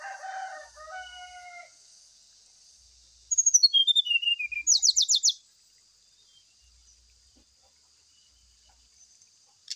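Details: Brown-chested jungle flycatcher lure song used to prompt a bird to sing during morning dew airing: clear whistled tones near the start, then a descending run of sharp notes and a fast buzzy trill, with a steady high hiss behind.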